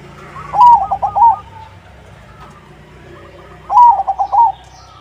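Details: Crossbred zebra dove, or perkutut, singing vigorously as a lure for other doves to answer: two loud phrases of rapid, bubbly, stuttering coos about three seconds apart over quiet background.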